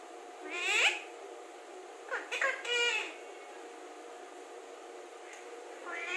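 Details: Alexandrine parakeet said to talk very clearly: a loud harmonic, speech-like burst near the start, then a quieter pair of wavering, voice-like syllables a second later, and a faint rising note at the end over steady low hum.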